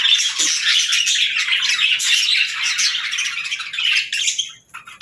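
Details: Pet parrot indoors in a small room during its morning routine, first chirps of the day. Dense, continuous high chirping and squawky twittering, rapid and overlapping, fading out near the end.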